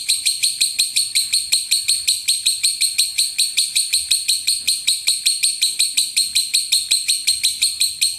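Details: Contest-training lovebird mastering: a steady, sustained series of bright, high repeated notes, close to three per second, without a break throughout.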